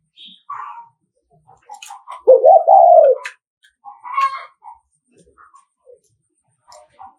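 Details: Provoking 'thúc gù' coo of a Nghệ An spotted dove used as a lure for rival males: one loud, low coo with a stuttering start and long falling tail near the middle, surrounded by scattered chirps and clicks.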